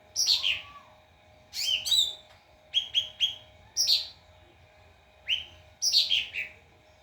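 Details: Song of a white-rumped shama used to train other birds, with rapid cascading notes, paired clear upslurred whistles and descending trills in steady succession, over a constant low hum.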